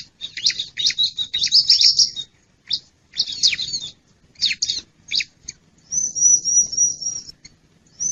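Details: Wild bar-winged prinia lure sound used to attract birds: dense clusters of harsh, buzzy chirps with short gaps, then a long, thin, very high trembling trill near the end.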